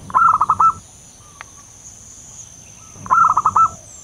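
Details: Wild local zebra dove call used as a lure for trapping: a quick string of clipped, bouncing mid-pitched coos lasting under a second, repeated after about two and a half seconds, over a steady high hiss.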